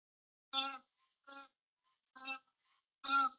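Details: A White-winged Wood Duck gives four loud, nasal, eerie honks, each short and harsh and under a second apart. Its forest call sounds frightening and gave the duck its name, Deoha, meaning spirit duck.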